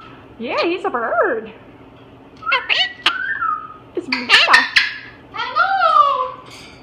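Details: Indoors, a pet parrot looking at the camera after noticing a Moluccan cockatoo makes cute, wobbling squeaks and chirps in short bursts, with a scratchy squawk and a final falling whistle.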